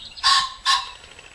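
A cock Common Pheasant gives its crow, two loud, harsh, grating notes about half a second apart, in a quiet field setting.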